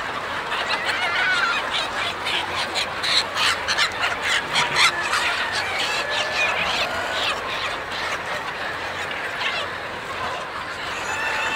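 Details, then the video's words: A huge flock of chickens and roosters, nearly thirty thousand birds on a farm, pouring out together at feeding time; a dense, continuous chorus of overlapping clucks and squawks with a steady roar of movement beneath. "Nearly 30 Thousand Chickens and Roosters All at Once out for feeding"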